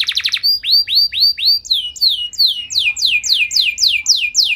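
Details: Singing canary with lavish song variations, used to provoke other canaries: a short buzzy burst opens, then upward-curving whistled notes repeat in a quickening series, each sharp and bright.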